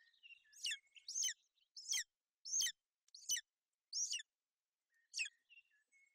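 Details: Golden eagle female brooding her chick on the nest in Bucovina, 28 May 2021, during inclement weather. Seven high, piercing, falling chirps come at irregular intervals, with soft thin whistling notes between.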